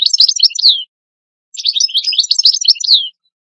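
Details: Tutor European goldfinch, a singer used to teach new young goldfinches, gives two short bursts of quick tinkling, twittering song separated by a pause of under a second, each ending in a downslurred note.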